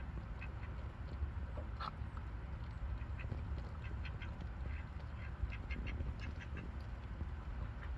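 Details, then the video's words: Ducks at feeding time give short, nasal quacks repeated steadily throughout, sometimes in quick pairs and clusters, with a steady low rumble of background noise underneath. "Quack, quack, quack from different angles"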